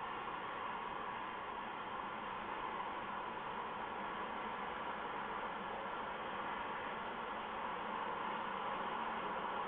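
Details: Steady hiss of static fills an owl nest box at night, with no animal calls.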